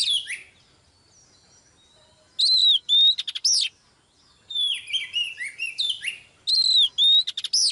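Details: Energetic Oriental magpie-robin song from a female used to stir a male into singing: a brief opening whistle, a quiet gap, then loud clusters of sharp chirps, sliding whistles and steady high tones repeated in bursts.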